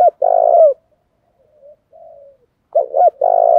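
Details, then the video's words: Spotted dove lure bird giving urging coos: a long low drawn note with a falling end, quiet soft murmurs, then a stuttered double note leading into another long coo. "Tiếng chim cu gáy hàng cực phẩm THÚC cực sung kích thích bổi rất nhanh gáy và nổi nhanh"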